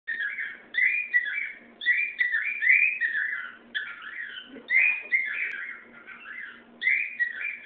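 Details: A pet cockatiel (Nymphicus hollandicus) named Pepper sings a steady run of warbled, slurred whistles, phrases rising and falling about every second or two, with a faint low hum underneath.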